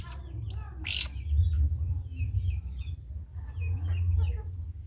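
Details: Long-tailed shrike of the spotted 'cendet trotol' type, its song used as a tutor recording for other caged birds to copy: scattered sharp high chirps, short trills and whistled notes over a steady low rumble.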